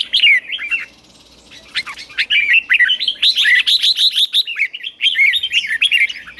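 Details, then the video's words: Red-whiskered bulbul singing in the morning, lively rich warbled phrases of bubbly whistles rising and falling quickly, repeated with barely a pause after a brief quiet moment; used to train bulbuls to sing. "Luyện chào mào hót sáng"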